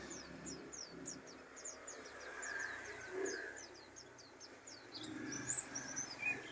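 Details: Mountain white-eye (pleci dakun) of Pacitan delivering a long, hurried series of high, thin downslurred notes, nearly four per second, with a low background murmur and a couple of sharper squeaks near the end.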